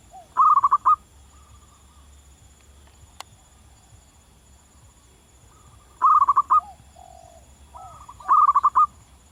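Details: Wild local zebra dove giving long-running song: three loud bursts of rapid rolling coos, several seconds apart, with quieter coos and a sharp click in between.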